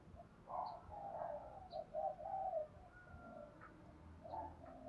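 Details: Spotted doves, male and female, giving the thúc gù style of cooing as a lure call for trapping. Soft, low, hollow coos come in a short run of phrases, with faint high chirps from other birds in the background.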